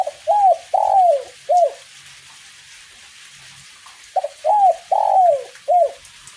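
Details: Derkuku, or spotted dove, in kuk 1 style singing steadily through a gentle drizzle: two phrases of soft, mellow cooing, each with a brief stutter, two long sliding coos and a clipped final note.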